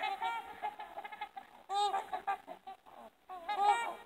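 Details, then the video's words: Several trumpeter swans trumpeting together: nasal, horn-like honks rich in overtones overlap in a dense, continuous chatter, with louder bugled bursts rising out of the group about every one and a half seconds. "Trumpeting Trumpeter Swans"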